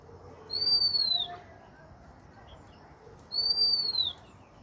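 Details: Two identical pure whistles from a bird, each slightly arched and falling at the end, spaced about three seconds apart. There is quiet low background noise between them.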